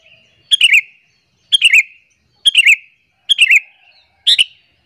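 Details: Sooty-headed bulbul lure call aimed at making other bulbuls angry: five near-identical short, burbling whistled phrases, each dropping at the end, repeated about once a second.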